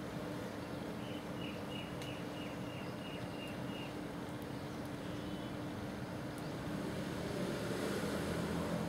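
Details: Brown shrike, seen eating a large prey item, gives a quick run of about nine short, even chak notes in three seconds, over a steady low rumble of wind and distant traffic.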